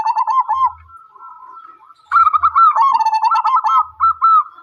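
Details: Zebra dove singing a soft, rolling coo near one pitch, made of quick bubbling trilled notes in two bursts separated by a quieter stretch, with faint low thumps underneath.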